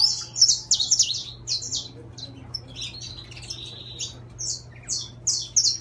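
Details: Saffron finch of intense yellow, a caged bird, singing a fast series of high, buzzy chirped notes in clustered bursts, with steady low hum beneath.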